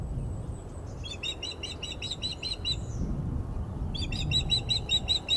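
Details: Unhappy female osprey at the Glaslyn nest, 14 April 2021, after an unringed male lands on its perch: two bursts of rapid shrill chirping, each about a second and a half, separated by a short gap.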